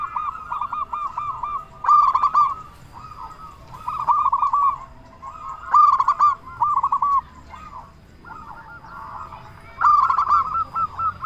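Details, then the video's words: Zebra dove of local Indonesian stock, a strong persistent singer played to stir other doves to respond; repeated phrases of rounded, bouncing coos in quick series, several phrases in a row, with occasional clicking noises and a faint background hum. "Perkutut Lokal Gacor Suara Besar Pancingan Burung Perkutut Bikin Langsung Nyaut"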